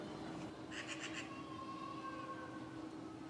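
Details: Eurasian magpie, one of a pair that settled in a courtyard this spring, gives a brief harsh rattle of four rapid chattering notes, against a steady low hum and faint background noise.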